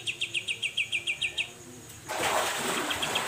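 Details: Grey-cheeked bulbul in 'mbeset' style used as a tutor recording: a quick run of sharp repeated chips for about one and a half seconds, then a burst of loud broadband rustling noise covers the rest.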